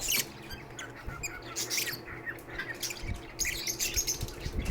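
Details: Sheltered pet lovebirds make harsh, scratchy squawks and shrill chirps in irregular clusters, busiest at the start and near the end, over a low droning hum.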